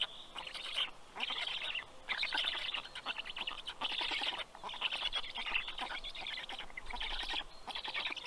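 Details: Black stork chicks at a nest in Karula National Park, southern Estonia, about 11:00 am on 11 June 2023, give wheezy, hissing, high rasping begging calls in second-long waves with brief pauses as the male brings fish.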